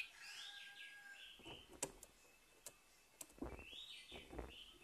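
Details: Orange-headed thrush singing in the morning as a lure to restart a bird that has stopped singing: sweet, warbled, sliding whistled phrases at the start and again near the end, broken by sharp knocking clicks and low thumps.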